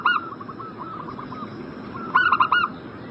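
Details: Zebra dove coo for prompting a breeding bird to answer: a fading note and soft distant cooing, then one loud, quick phrase of four bright ringing notes.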